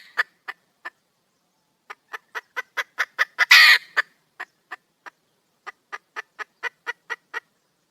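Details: Female red junglefowl calling for a male partner: scattered clucks building into a faster series, one prolonged grating squawk in the middle, then further regular clucking.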